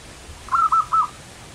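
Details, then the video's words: Perkutut, the local zebra dove, performing a lively manggung phrase: three short coos close together, the first two rippling and the last longer, against a quiet, hissing background. "suara burung perkutut lokal manggung gacor"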